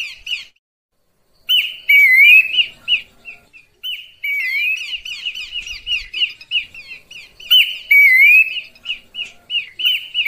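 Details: Horsfield's babbler luring call, clear: opens with a brief pause, then loud bursts of rapid chattering notes mixed with rising slurred whistles and harsh buzzy elements, repeated in several bouts.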